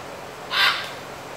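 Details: A single harsh, raspy squawk, broad and grating and about a third of a second long, from a scarlet macaw near Carate on Costa Rica's Osa Peninsula, among macaws grooming one another, against a quiet background hiss.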